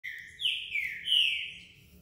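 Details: A Green-winged Saltator, a 2020 Brazilian national champion songbird, sings while moulting: loud, clear whistled phrases that slur downward, then swing up into a bright, ringing final note.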